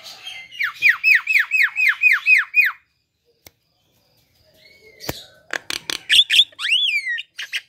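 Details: Lively Javan myna song used to encourage other mynas to sing: a rapid series of falling whistled notes, a pause, then sharp clicks and looping rising-and-falling whistles.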